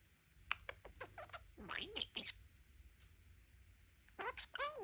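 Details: Pet budgerigar, a male, mimicking taught phrases, blending "Oh my goodness" and "Pretty chicken" into a new combination: quick chattering warbles and squeaky speech-like syllables indoors, with a louder garbled phrase at the end.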